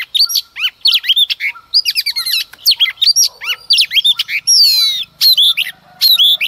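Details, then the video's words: Female Oriental magpie-robin in early-morning song aimed at provoking males, delivering a continuous, dense stream of quick whistles, trills and chattering notes with a buzzy descending flourish near the end. "Choè than mái hót kích trống hót căng sáng sớm"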